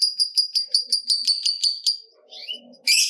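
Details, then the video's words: Lovebird in full ngekek, a long rattling chatter used to stir other lovebirds into calling: about eleven sharp high chipping notes in rapid even rhythm, then faint squeaks and a final harsh burst. "Lovebird Gacor Ngekek Panjang"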